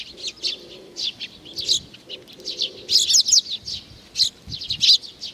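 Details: At Tenmangu in Nakanoshima on 7 June 2020, sparrows arriving for food chirp busily. Short high tweets cluster and peak near the middle and end, and a faint low hum sits underneath.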